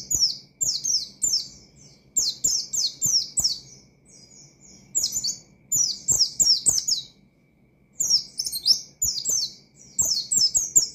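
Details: Persistent high twittering from an Oriental white-eye using 'ngalas' song to call out and rile rivals: dense runs of quick, falling buzzy whistles, broken by short pauses, with scattered low knocks.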